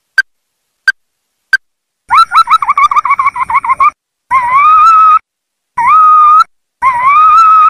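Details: Ruddy-breasted crake, a recording used for trapping: three short single notes, then a fast rattling trill of quavering notes, followed by three longer, harsh, rising-then-level wailing phrases with pauses between.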